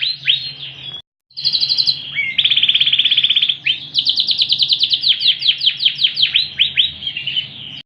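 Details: Ringed Yorkshire canary in full, very loud song with 'cililin' fill phrases. Bright high trills, then a brief silence, then a buzzy sustained rattle. A fast run of repeated rising-and-falling whistled notes ends the phrase.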